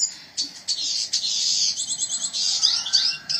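A red siskin sings a rapid, high twittering song of buzzy trills and sharp chirps, delivered in quick bursts with almost no pause.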